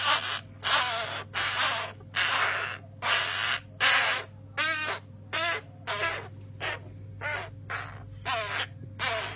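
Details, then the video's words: Young crow nestlings in care call noisily for food: a rapid sequence of rough, grating caws, roughly thirteen in nine seconds, some with a wavering quality, set against a constant low mechanical hum. "Noisy crow chicks"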